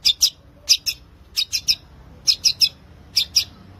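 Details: Long-tailed shrike singing energetically, used to prompt silent shrikes to sing: short, sharp, high chirps in quick pairs and triplets, about ten notes over four seconds with brief pauses between groups.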